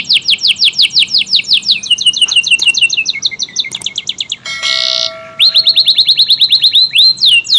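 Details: Canary of the AF type in vigorous long-duration song, offered as tutor material for magpie robins and other birds: rapid high whistled notes repeated several times a second, then a buzzy rattling burst and further sweeping trills.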